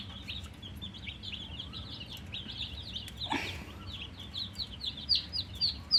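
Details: Poultry chicks with coloured down, thirsty for water, give softer separate high peeps, several a second, each a quick down-slurred note; a brief rushing noise cuts through midway.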